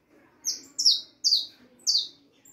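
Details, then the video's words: Young harlequin saffron finch, four and a half months old, singing: four bright, high downslurred notes, each sliding down and spaced about half a second apart, with a faint low murmur underneath. "canario da terra filhote arlequin cantando muito 4 meses e meio de vida canario ancestral"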